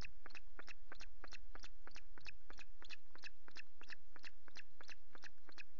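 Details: Osprey at the Loch Garten nest on 5 July with chicks and two delivered fish: rapid, evenly spaced piping chirps, nearly three per second, each note bright and ringing with overtones, continuing throughout over a low steady hum.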